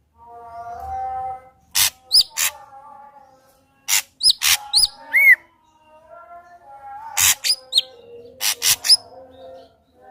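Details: Ashy drongo lure song for prompting another drongo to sing: scattered phrases of harsh rasps, clicks and quick upslurred whistles separated by short quiet gaps.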